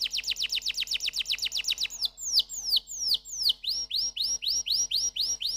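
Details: Singing canary giving a fast series of sharp downward-swept chips, then slower separate descending whistles, then a run of upward-slurred notes repeated about twice per second.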